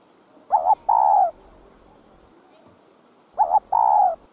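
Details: Cu gáy, the spotted dove, cooing to stimulate other doves: two matching phrases about three seconds apart, each a wavering double note then a long buzzy falling coo, over a faint hiss.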